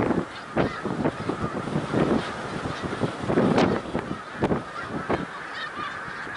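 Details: Pennsylvania's Middle Creek Wildlife Refuge on March 1, 2021, where a huge gathering of snow geese keeps up an unbroken clamour of overlapping honks, louder in swelling waves.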